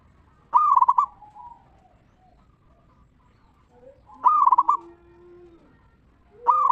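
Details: Local zebra dove performing the ngeristal lure song aimed at getting other zebra doves to sing: loud quick stuttering coo bursts about three and a half seconds apart, with faint lower notes between.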